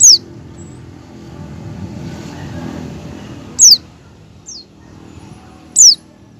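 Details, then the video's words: Oriental white-eye in ngecal style learning ngalas song, used to get other white-eyes singing; single crisp, high descending whistles spaced about two seconds apart, with a softer note between and a passing low engine-like rumble. "pleci ngecal dan belajar ngalas cocok buat pancingan pleci agar buka paruh."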